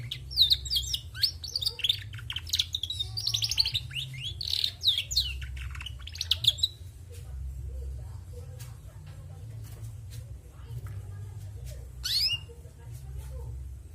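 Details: Female canary in full voice: six seconds of busy high chirping and sweeping whistled notes, then mostly quiet with scattered soft clicks and one brief sharp chirp near the end.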